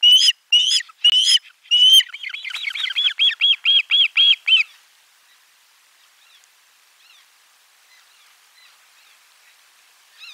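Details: Lunchtime fish delivery at an Osprey nest, 12 July 2022, nest camera 4: a few strong whistled chirps, then a rapid string of short notes ending after about five seconds. Only faint distant calls follow.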